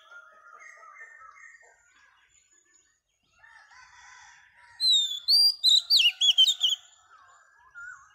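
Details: Female Oriental magpie-robin singing to stimulate males. Soft, low warbled phrases precede a loud run of piercing high whistles and sharp repeated notes near the end.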